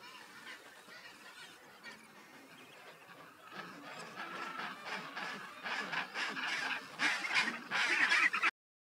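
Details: A pair of skuas feeding their chick beside a mixed chinstrap and gentoo penguin colony give harsh, nasal, honking calls in quick bursts that grow louder and more frequent toward the end, over a soft background hiss.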